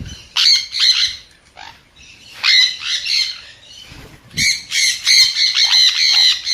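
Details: Sun conure giving rapid, shrill, grating squawks in several loud bursts, the last a fast string of repeated screeches with rich overtones.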